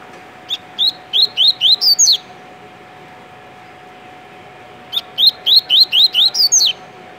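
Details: Coleiro, a kept double-collared seedeater from Rio de Janeiro, Brazil, singing tui-tui style: two bursts of about seven upward-sweeping whistles, the last ones climbing higher, with a long gap between them and a low steady hum throughout.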